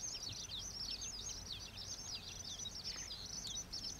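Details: Continuous thin, squeaky chipping from young common waxbills in a Taiwanese wetland near Pingtung's old iron bridge, where the species is an introduced cage-bird escape. Notes tumble rapidly and overlap, with faint low noise below.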